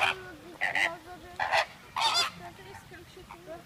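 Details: Chilean flamingos kept at Prague zoo give loud, goose-like honks in uneven bursts, roughly four strong honks within a few seconds, over a continuous low, nasal gabbling from the rest of the flock.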